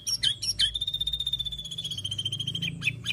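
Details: Murai batu, the white-rumped shama, holding a long, level, trilled high whistle for about two seconds between short sharp notes at either end, over a faint low hum.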